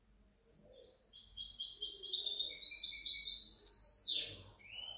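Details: European goldfinch hybrid, 2019–2020, singing a rapid run of bright twittered notes and buzzy high trills, ending in a loud sweeping downslurred note followed by short chirps.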